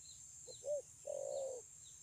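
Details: Spotted dove recorded 9 June 2020 for its fine voice: a single soft coo phrase, short note, arched coo, then a long level hum, with faint bird chirps and background hiss.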